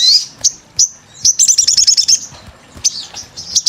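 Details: Sunbird 'gacor' lure calling: sharp, very high isolated chirps, a short burst of about ten quick pulsed notes in the middle, then more scattered thin chips.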